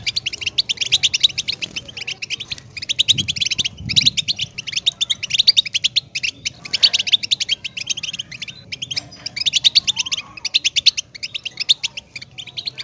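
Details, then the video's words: European goldfinch singing a fast, continuous twittering song of rapid buzzy and tinkling high notes in dense bursts, with brief pauses and a few low thumps in the background. "Goldfinch Best Motivational Sound!"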